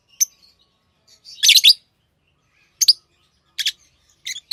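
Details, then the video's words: Pet lovebird giving sharp, high, scratchy chirps spaced apart, one longer raspy burst near the start and quick clipped notes after. "Love birds Sounds | lovebirds chirping sounds| parrot beautiful sounds"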